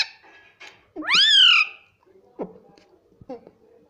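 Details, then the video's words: Talking pet parrot indoors gives one loud, arching, strongly harmonic call that sweeps up and down, followed by faint clicks and quiet vocal sounds. "parrot talking everything"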